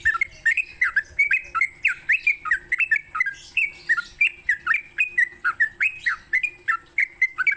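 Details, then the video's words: Morning song of a sooty-headed bulbul meant to train songbirds: evenly spaced short whistled notes, many with a downward hook, about two and a half per second throughout, with steady faint high hiss. "Pancingan TRUCUK PAGI hari"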